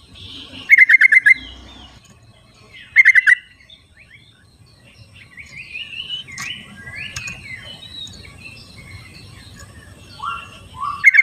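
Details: Wild yellow-vented bulbuls calling back and forth: two bursts of rapid bubbly pulsed notes early on and another at the end, with scattered whistled calls from other birds and a faint insect hum between.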